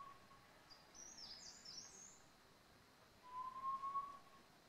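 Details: Great barbet in the Indian Himalaya at Landour, feeding on rhododendron flowers battered by March snow and rain; a single steady whistled note, slightly rising, late in the clip, with faint high chirps from another bird earlier.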